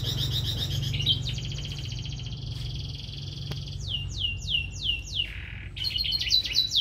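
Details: Canary song over a low steady hum; buzzy trilled rolls lead into a string of sharply descending whistled notes, then a rattling trill and more quick high chips.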